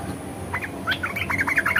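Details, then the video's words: ["Red-eyed bulbul singing in the 'ngeriwik' and 'ngebren' styles, a brief burst of quick, bright chirps that speeds up toward the end, over a low steady background hum."] "SUARA KICAUWAN BURUNG MERBAH MATA MERAH NGERIWIK DAN NGEBREN"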